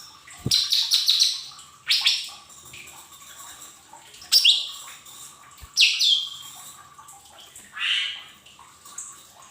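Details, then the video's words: Lesser green leafbird, mini type, in a lure recording played to untrained cage birds so they start singing, gives five loud bursts of sharp, high chattering and whistled notes spaced about two seconds apart, with quiet pauses between. "Pancingan cucak ijo mini bahan agar cepat bunyi"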